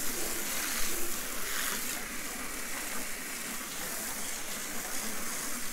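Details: Rushing water and a passing vehicle dominate, with faint speech in the background.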